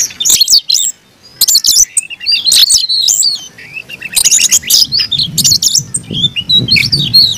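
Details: Oriental magpie-robin, kept caged, singing its combative fighting song: bursts of shrill chattering and sliding whistles, a short silence near the start, and low background rumble in the later seconds.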